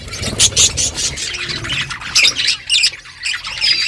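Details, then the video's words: Morning chatter from a budgerigar flock calling to each other, steady high warbling squawks and chirps with brief louder bursts throughout. "Budgies flocks in beautiful morning 🌄 birds talking to each other"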